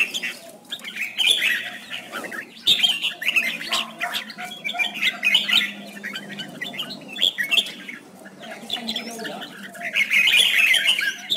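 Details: Competition song of a red-whiskered bulbul, recorded as a decoy to train other bulbuls and spur them into song; bursts of bright chattering, warbled notes come in clusters separated by brief gaps, with some harsher squawky notes.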